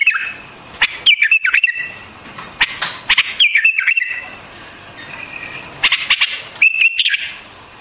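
White-eared bulbul singing short, bubbly whistled phrases with quick rising and falling notes, repeated in bursts every couple of seconds, with sharp clicks between.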